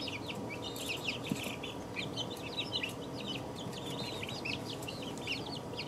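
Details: Two-week-old chicks peep continuously, short high chirps rising and falling from many birds together, densely packed, with a steady low mechanical hum in the background.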